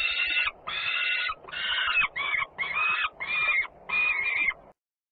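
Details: Włocławec, Poland, 3 June 2010: peregrine falcons at feeding while a sister comes home noisily, giving seven loud, rasping screeches separated by short pauses before abrupt silence.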